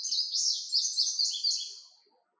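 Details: Indigo bunting song: a high, slightly buzzy series of paired sweet notes, each pair repeated several times in quick succession before fading out, with a quiet background.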